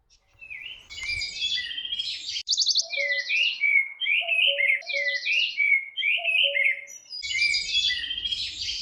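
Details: Red-backed shrike, a summer visitor breeding May–June, at Artomaña, Orduña, Bizkaia, Spain, in 2025, giving a rapid, varied run of scratchy chattering phrases and sharp chirps, high-pitched and jumbled, with a faint low rumble underneath.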